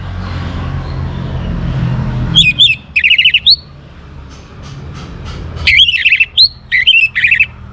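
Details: Singing young orange-headed thrush, played to encourage other birds to sing: after a murmur of low noise, two bursts of quick, buzzy and fluty whistled notes, each of several tightly packed syllables.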